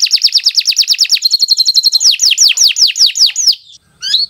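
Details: Canary singing a long song for training young birds: very rapid down-slurred chirps, a short high trill, then slower sweeping whistles that fade before a last faint note.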